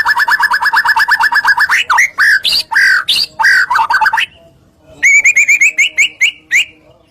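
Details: White-rumped shama in full song, used to provoke other shamas into singing: a rapid even trill, then loud varied whistles with rising and falling slurred notes, a brief pause, and a fast run of clear repeated chips.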